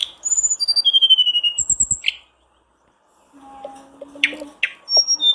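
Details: Lure recording of a blue flycatcher meant to spur a kept bird to sing, opening with a fast rattling burst, then thin high whistles dropping in steps, a silent gap, and scattered chips.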